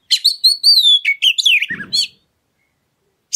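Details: Oriental magpie-robin lure song to get other birds singing: drawn-out clear whistles followed by tumbling lower notes, a brief soft rustle, then quiet and a final sharp note.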